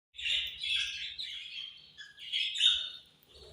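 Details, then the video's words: Caged budgerigars chirping angrily while eating: harsh, buzzy chatter in overlapping bursts, dense scratchy warbles rising and falling, with a loud squawky peak near the end. "Budgies Eating And Angry Chirping Sounds"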